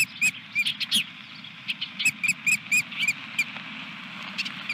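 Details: Nest scene with a fish delivery, 17 May 2021: osprey calls as a series of brief, high, slurred chirps spaced every fraction of a second, with a background hum.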